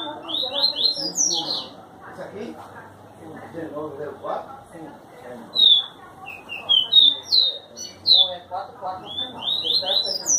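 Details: Double-collared seedeater singing its Tui Tui song style in João Pessoa, Paraíba, Brazil; fast runs of high, sharp, slurred twittering notes in bursts, with a low mutter of voices and background noise beneath.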